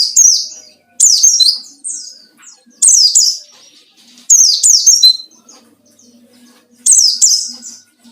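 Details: Ngalas-style white-eye song aimed at provoking a rival, used as a lure; five bursts of bright, high, downward-sweeping whistles, some doubled, spread irregularly with a faint low hum.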